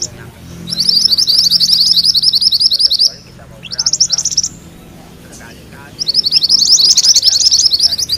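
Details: Rolling song of a yellow mantenan, used as tutor material for training magpie-robins: fast high trilled bursts of roughly two seconds, separated by short quiet gaps, over soft lower background chatter.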